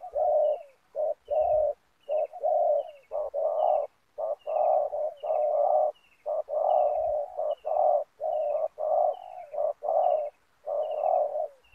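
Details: Spotted dove used as a decoy to lure wild doves during ground trapping with snare nets in Indonesia; steady runs of low, hoarse cooing notes, mixed short and drawn-out, nearly unbroken, with faint thin high descending notes above.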